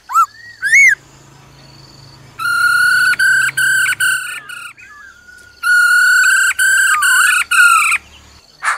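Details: A female laughingthrush gives rich, nasal "ro ro" notes in sustained, broken bursts of about a second each, opening with a couple of quick rising whistles, used to quickly excite a male.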